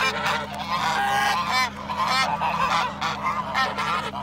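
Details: Swan goose, attacking, giving loud, harsh honks in a rapid, uneven stream, about one every second, with a steady low hum underneath.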